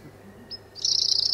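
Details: A European robin, one of the few birds singing all year round, even late at night, gives a thin, pure, high whistle, then a rapid tinkling, slightly buzzy warble of piercing high notes; finding: European robin.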